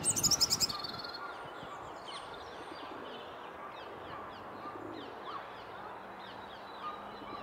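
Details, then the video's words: A robin singing beside a leaf yard opens with a brief, bright burst of high warbled notes, followed by faint, scattered high chirps over a soft outdoor hum. "Robin singing"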